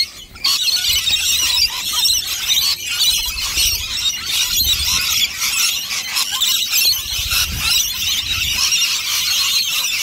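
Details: A big lunchtime crowd of rainbow lorikeets eating nectar from two dishes gives unbroken, piercing high screeches and chatter from many birds together after a quiet first half-second.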